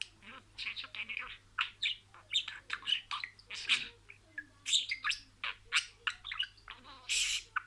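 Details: Budgerigar imitating words in sequence: dense stream of raspy, buzzy chirps and squeaks, some brief and clipped, others broad and harsh, ending in a loud scratchy burst, over a steady faint hum.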